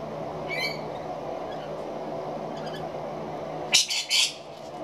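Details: Rainbow lorikeets feeding in the late afternoon: a faint harsh note early on, then a loud cluster of three rasping, broadband screeches close together near the end, over a steady background hum.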